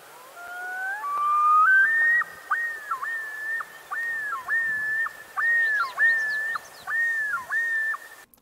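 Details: A Common Loon gives its wailing nighttime yodel: a few rising wails, then a rolling string of about eight looping, up-and-down phrases, each under a second, with faint high chirps coming in midway.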